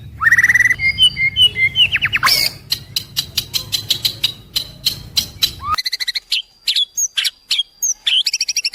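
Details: White-rumped shama song for all-day listening: rich descending whistles and warbled phrases, then a long run of sharp clicking notes and high squeaky whistles, the background suddenly falling silent midway.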